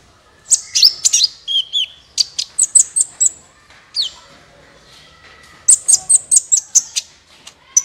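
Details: Sunbird song played to prompt other birds to sing: clusters of high, thin chirps and short whistled notes, a burst, a pause of near silence, then another rapid run of sharp notes.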